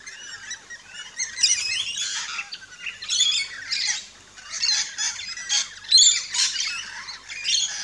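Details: Rainbow lorikeets chirping and squawking at a feeding station in an Australian backyard, a busy mix of short shrill notes and grating screeches in rapid pulses.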